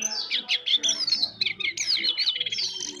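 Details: Jongkangan bird twittering softly yet energetically: fast high-pitched chirps and sliding whistles in quick succession, ending in a rapid trill, with a faint low hum beneath.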